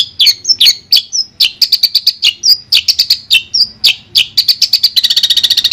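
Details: Clear master recording of a Madura long-tailed shrike: lively mix of sharp chips and short whistled slurs, finishing with a rapid trill.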